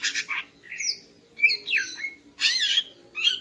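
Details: Morning song of a female greater green leafbird to excite the male: harsh buzzy notes alternating with slurred whistles and a raspy squawk, uneven and lively, faint hum in the background.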